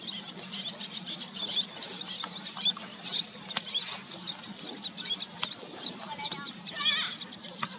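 Little tern chicks give thin, high peeps and short chirps at irregular intervals, with other terns calling and a low steady hum underneath.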